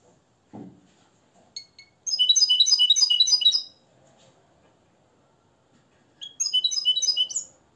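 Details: Nest-raised European goldfinch from Morocco, schooled in the limpio song style after Tarkiba Dahabia 2020. A dull knock and a few thin notes come first, then a loud, rapid run of sparkling high twitters, silence, and a second shorter bright phrase.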